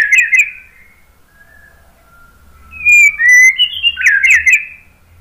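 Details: White-rumped shama song used as a lure to get other birds to answer: bright whistled phrases near the start, a long quiet gap with soft thin tones, then loud rich slurred whistles rising and falling in quick bursts.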